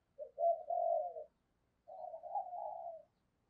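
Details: Spotted dove in the 'giọng thổ' voice style, calling to lure and provoke wild doves: two fairly faint, drawn-out, wavering coos about a second long each, separated by a short pause.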